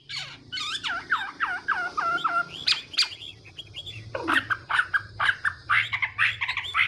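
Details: Chinese hwamei during morning song training to provoke singing; repeated downslurred whistles in a rapid series, then varied chirpy notes over a noisy background hum.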